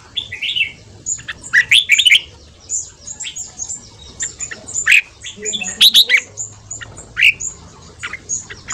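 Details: Red-whiskered bulbul in rapid morning song, used to train and stir other birds: busy strings of sharp warbled and chattering notes, loud bursts every second or two, with high thin whistles in the background.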